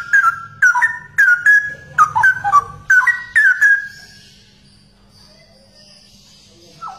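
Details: Cucak rowo, or straw-headed bulbul, a rare bird: a fast, rich run of gurgling whistled notes for three seconds, followed by near silence and one final note.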